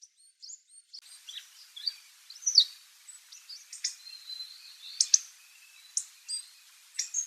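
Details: Distant wild Hawfinch calling: a busy run of short, sharp, high ticks and clipped chirps, some louder explosive clicks standing out every second or two, in a quiet setting.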